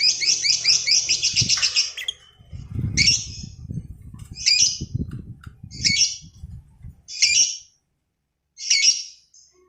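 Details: Lovebird giving a ngekek panjang, the long trill used to provoke and train other lovebirds. A rapid, rattling chatter runs for about two seconds, then breaks into separate rasping squawks spaced over a second apart, over low rumbling noise.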